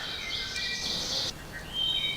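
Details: Wood Thrush singing around 8:30 in the evening on a chilly night in Weiser State Forest, Pennsylvania: clear, flutelike high notes, partly covered by breathy hiss, then a final pure whistled phrase.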